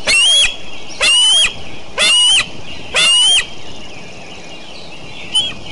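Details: Decorah eagles calling on a morning in late June 2012: four piercing, rasping screams about one second apart, then a quiet pause and a faint short note, with steady background noise.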